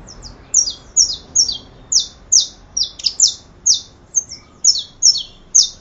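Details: A saffron finch repeats high, clipped downslurred chirps about fourteen times, some split into double notes, at an even brisk pace against a calm background.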